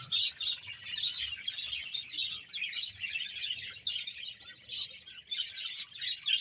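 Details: Colony of some 100 budgerigar pairs in Bahawalpur keeps up a busy, overlapping chatter of high chirps, squeaks and warbling notes.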